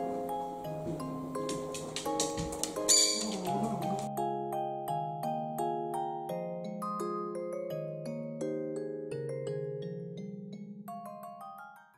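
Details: Gentle mallet-percussion music, like a vibraphone or marimba, plays throughout, with a brief noisy burst near the start and no animal voice.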